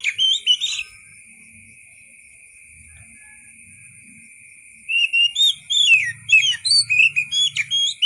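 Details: White-rumped shama singing in wild style, used to tutor songbirds: a brief whistled phrase, a long silence with faint low rumble, then a lively series of short rising and falling whistles.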